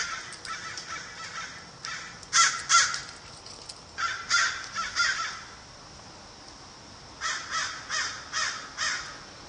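American crow giving harsh, grating caws in short bursts of three to five, with pauses between groups; faint background hiss.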